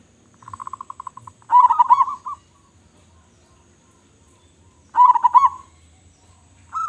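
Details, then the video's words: A local zebra dove, strong-voiced and in full song, gives a soft run of staccato notes, then two loud rolling coo phrases separated by a silent gap of about three seconds. "Perkutut Lokal Gacor Suara Besar"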